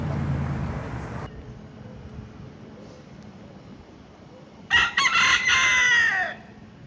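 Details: A Key West rooster, one of many free-roaming chickens around Duval Street, Key West, Florida, crows once, a loud harsh cock-a-doodle-doo that holds steady and then falls away at the end.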